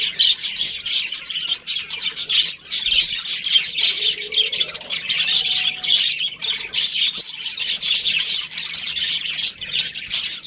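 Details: A breeding pair of Australian budgerigars chirps busily in a dense, high, grating warble. A softer, lower whistled tone slides upward around the middle.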